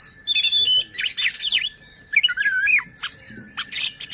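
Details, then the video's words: Oriental magpie-robin singing as a provocation lure for other magpie-robins and as a tutor for contest birds; clear whistles, buzzy trills and looping slurred notes in separate bursts over a steady faint tone. "Suara KACER Buat EMOSI dan NGOTOT Kacer Lain | Pancingan Kacer Malas Bunyi."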